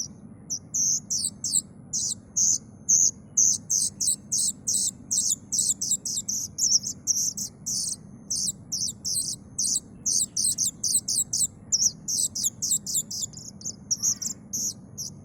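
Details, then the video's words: Young plaintive cuckoo giving a long, steady run of very high, shrill chirps, repeated rapidly and almost without pause for fifteen seconds over a faint low rumble. "suara anakan burung kedasih"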